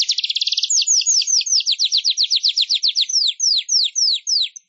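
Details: Weaver song used for songbird training: a rapid burst of high chattering notes that slows into a long run of clear, downward-slurred chirps, spaced a little wider toward the end.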